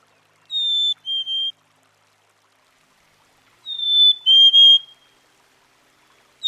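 A Black-capped Chickadee sings its clear two-note whistle, a higher note then a slightly lower one, repeated twice about three seconds apart in a quiet setting.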